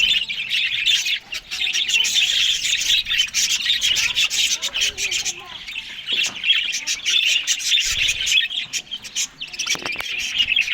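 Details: Australian budgies at their morning green food make a continuous, high, chattering warble with dense clicks. Softer, lower twittering notes and a few louder squawks come near the end.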